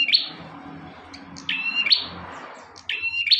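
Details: Bar-winged prinia singing high, ringing notes that each end in a sharp flick, about three phrases spread over a few seconds. A low hum and light room noise run throughout.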